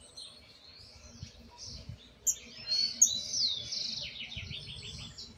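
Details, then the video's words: Young jilguero blanco, the Argentine white goldfinch, working on its misisipi song with the basics in place: clear whistled slurs leading into a loud, fast run of high trilled and buzzy notes, then a rapid stuttering series near the end. "Pichón el misisipi, con cositas por corregir pero la base está."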